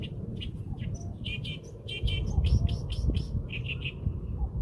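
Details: Bird chirping brightly in quick clusters of two or three high notes with short pauses between, a thin whistled note near the end, and a constant low background rumble.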